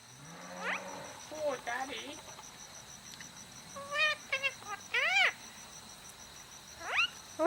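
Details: A pet male Indian ringneck parrot, two and a half years old, chats with its owner: shrill, sharply rising and arching voiced phrases in short bursts with pauses, mixed with a woman's speech and a steady high background hum.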